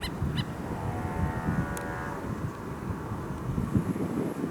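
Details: A wild White-cheeked Pintail (Anas bahamensis) at Flamingo International Airport, Bonaire, Caribbean, on 29 September 2021, gives one drawn-out, nasal, reedy call lasting about a second, over steady low wind rumble and a brief click.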